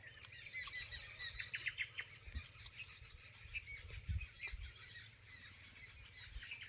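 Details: Birds chirping in the evening as they gather to roost and frolic in dense trees on a farm field boundary; busy high twittering notes overlap throughout, with low rumbling background noise.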